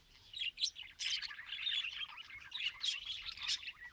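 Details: A group of pet budgerigars being bred chatters continuously: a dense, high twittering warble of quick chirps and squeaks that rises and falls in loudness.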